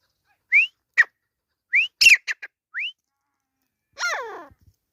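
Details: Grey francolin (teetar) during a fight, from Pakistan: sharp rising whistled notes alternate with short clicks and a burst of descending harmonic squeals near the end, with silent gaps between phrases.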